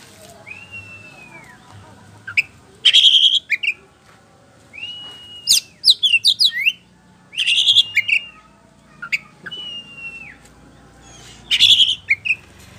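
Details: Ngeplong, gacor white-rumped shama song used as a lure for answering birds: a clear arched whistle repeated about every two and a half seconds, each followed by harsh buzzy bursts and quick descending chips.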